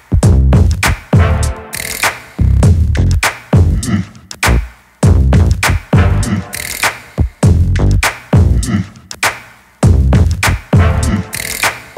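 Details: Heavy electronic beat with deep bass and drum-machine hits repeating in a steady loop; no animal voice is heard.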